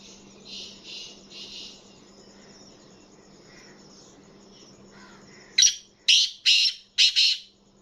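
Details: Kept black francolin calling: three faint buzzy notes early, then after a quiet stretch a loud phrase of four harsh, clipped, high notes about half a second apart, over a steady low hum.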